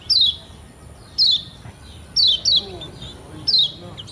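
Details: Lombok white-eye (kecial kuning) song used as a lure to get young birds singing: five high, thin whistled notes, each sliding steeply downward, spaced about a second apart over a faint low background hum.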